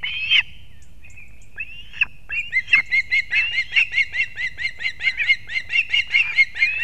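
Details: Wild osprey at a Kurzeme nest in Latvia, morning of 3 September 2024, as the male brings two fish for the young; one loud squeal, thin sliding notes, then a steady rhythmic series of shrill whistled chirps.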